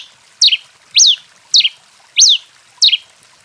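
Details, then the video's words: A Red-crested (red pileated) finch in heated, excited song gives a steady run of five high, sharp whistled notes, each swooping down or arching, about one every 0.6 seconds. "TICO TICO REI CANTANDO DEMAIS!"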